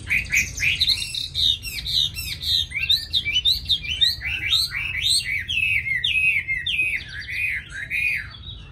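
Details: Tame caged Chinese hwamei delivering a long, varied song of loud looping whistles and slurred phrases, tumbling up and down in quick succession for several seconds.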